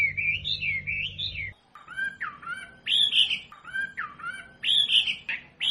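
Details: Wambi masteran for teaching kept birds: a wavering whistled phrase over a faint low hum, then after a brief gap a repeated pattern of bright, dropping and upswept notes about every second.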